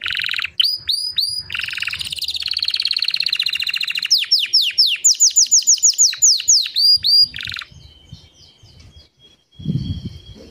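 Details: White canary song with rapid rolling trills, then a run of sharp descending whistled sweeps repeated about once a second, ending in a thin sustained tone and a few low rustling sounds.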